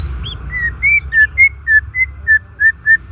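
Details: Singing white-rumped shama, natural sound for stimulating shamas that stopped singing or are stressed: a sequence of short, pure, level whistles, each about a third of a second apart, gently varying in pitch, over faint hum.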